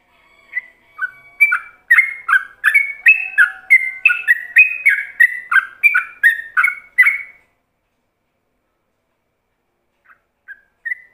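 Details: Yellow-vented bulbul singing ropelan, a tutor song for other bulbuls: about seven seconds of rapid chattering whistles, alternating high and low notes, then silence with three soft, isolated whistles near the end.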